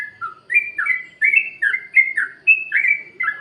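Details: Sooty-headed bulbul in the 'plik plok' freestyle song, used as a lure to prompt caged birds that are reluctant to sing: bright, bubbly two-part whistled phrases dropping in pitch, repeated roughly every half second.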